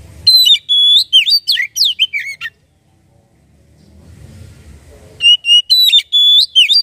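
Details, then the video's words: Oriental magpie-robin song played as a lure to get a bird singing: a burst of varied sweet whistles and sharp slurred notes, then a quiet pause with low rumble, then another bright whistled phrase. "Burung Kacer langsung bunyi dengar ini"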